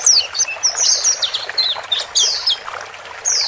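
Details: Scattered sharp, high descending chirps from male and female white-eyes, meant to help a newly bought bird grow used to living alone in a new cage; separate notes with gaps between them.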